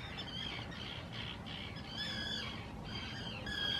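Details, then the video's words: Common terns at nesting islands in the Hula reserve, Israel, spring 2018, calling loudly in courtship and claiming nest sites: harsh, grating squawks in overlapping bursts from several birds, over a low rumble of wind or surf. "שחפית ים"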